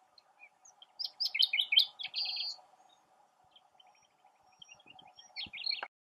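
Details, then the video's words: A common nightingale sings from its perch in a tamarisk: a rich, rapid burst of varied whistles and trills, a pause, then quieter fragments and a closing phrase over a faint steady hum. "Ruiseñor cantando"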